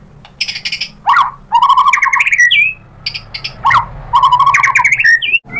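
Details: White-rumped shama song used as a lure to stir birds to respond: scratchy high notes, then rich fluted phrases with warbling, repeated twice with short pauses between.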